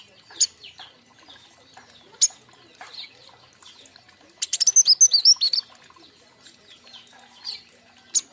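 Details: Fledgling king konin kept as a group: mostly quiet with scattered sharp single chirps, broken by one short, rapid run of high whistled and trilled notes in the middle.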